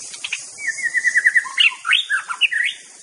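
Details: White-rumped shama song meant to agitate rival birds: a quick run of even, repeated chips gives way to looping, rising and falling whistled phrases, rich and varied, over a faint hiss.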